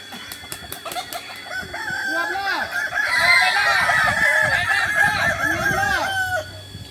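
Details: At a shared training session in Solok, West Sumatra, a Kokok Balenggek crow runs for several seconds as a string of rapid, evenly repeated stepped notes. Sharp clicks come first, and other cocks cluck beneath.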